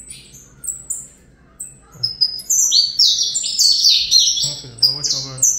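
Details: Captive-bred young saffron finch giving fibra song. Scattered high chirps open, then a fast, tumbling run of sharp descending notes and trills takes over, with a man's voice briefly audible beneath it near the end.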